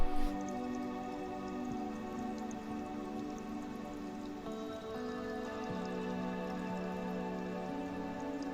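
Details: Soft new-age music with sustained layered tones and occasional dripping sounds; no animal voice is heard.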